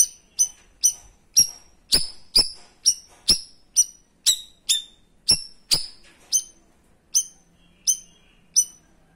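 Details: Cream-striped bulbul (cucak rawis) giving its 'tembakan' shot-style song, meant as a tutor for other birds: sharp, high piercing notes repeated about every half second in a steady run of around twenty, each with a clicky attack.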